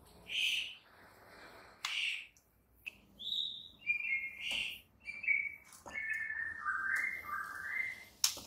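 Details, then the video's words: Morning training song of a White-rumped shama, played to urge other shamas into song: spaced whistled notes and descending slurred phrases, with faint hiss and occasional sharp clicks. "MASTERAN Murai Batu PAGI INI mampu buat Murai Batu MACET TOTAL jadi GACOR NGAMUK seketika"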